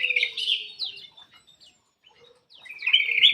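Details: Black-crested bulbul kept in an aviary, its song used to get lazy birds singing. Rich warbled whistles open the clip, then a near-silent pause and another loud fluty burst, over a faint steady low hum.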